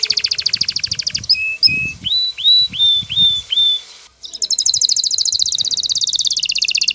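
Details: Excited male canary courting a female: a fast rolling trill, then a series of slurred whistled notes, a brief pause, and another rapid pulsed trill falling slightly in pitch.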